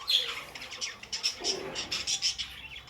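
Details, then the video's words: Brief burst of pet budgerigar calls: rapid scratchy chirps with thin whistled squeaks, pulsing about every quarter second. "budgie sounds"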